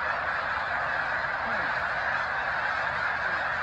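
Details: Steady clamour from a large snow goose flock resting on the shores of Cayuga Lake, Seneca Falls, New York, March 2021; countless honks overlap into one even, roaring chorus.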